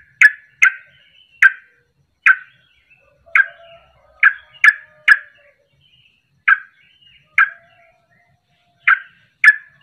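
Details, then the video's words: Sooty-headed bulbul, a 'ropelan' recording used to provoke other birds into singing; short bright bubbly notes spaced irregularly, often in pairs, with gaps of a second or more between them. "Ropelan Trucuk Ini Ampuh Untuk Pancingan Langsung Pada Ikut Ropel"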